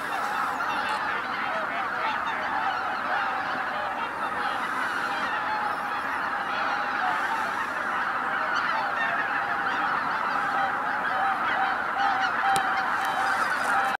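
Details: On Christmas morning at Izu-Numa, northern Miyagi, Japan, tens of thousands of wintering waterfowl keep up a rolling, continuous din of honks, with individual calls blurring together and some clearer drawn-out notes toward the end.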